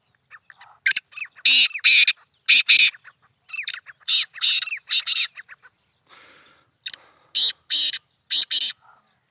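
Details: Black francolin (kala teetar) calling, in a hunting context: loud, harsh, grating phrases of four to six clipped bursts, each phrase well spaced, with softer scratchy notes between, repeated three times over nine seconds.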